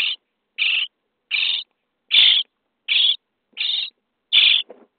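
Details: Common starling chicks begging in a nest box on day 23 during feeding: seven harsh, hissing calls in an even series, ending with a brief lower scrape.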